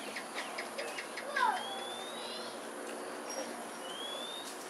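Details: Two foraging Pink-necked Green Pigeons, Singapore, late afternoon of 4 December 2022; a short falling note, then long upward-sliding whistles, one after another, against a constant background hiss.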